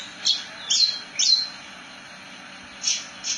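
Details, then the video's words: Javan bush lark (branjangan) gives a few isolated, sharp, high chirps, about two a second at first, then a short silence and two more notes. "Kicauan Burung "BRANJANGAN" Ngerol Nembak Mantap !!!"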